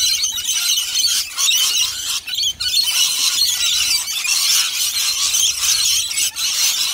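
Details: A crowd of rainbow lorikeets in a feeding frenzy at a bowl of nectar made from dry nectar powder, honey and warm water: continuous harsh, high screeching and squealing from many birds at once.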